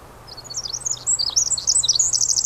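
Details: A Pacific Wren sings in the rain at the Squamish River Estuary: a rapid, tumbling stream of high, tinkling trills and buzzy notes climbing into fast repeated phrases, over a soft steady hiss.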